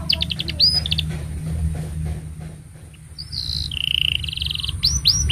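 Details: Canary song for training juvenile canaries and stimulating silent ones: quick high chirps and trills separated by a long buzzy whistled stretch, with noticeable low background hum throughout.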